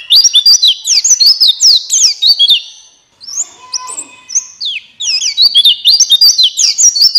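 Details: Energetic gacor ngalas song of a buxtoni white-eye, a lure to stimulate other white-eyes: long streams of rapid, high, slurred whistled notes, broken by a brief softer, scratchier pause midway, then resuming at full volume.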